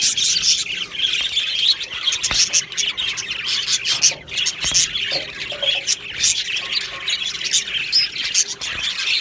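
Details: Budgie colony in an aviary, 22 June 2025, with a lively mix of high chirps, squawks and warbling from many birds. The chorus rises and falls in short waves, with occasional sharp clicks.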